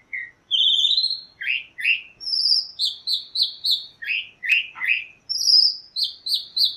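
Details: A chalk-browed mockingbird delivers a varied, continuous song of rising whistles, rapid repeated chips and downslurred notes, with phrases shifting pitch every second or so.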